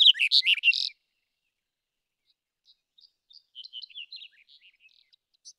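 Black-headed bunting gives a loud, quick burst of bright, jangling notes lasting under a second, then a faint run of thin twittering notes follows.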